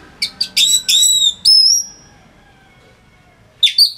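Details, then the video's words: Song of an Orange-headed thrush meant for training other songbirds: a quick run of bright whistled notes ending in a drawn-out clear whistle, a pause, then a new burst of chirps. "ANIS MERAH Gacor Suara Rapet Bagus Untuk Memaster Burung Punglor"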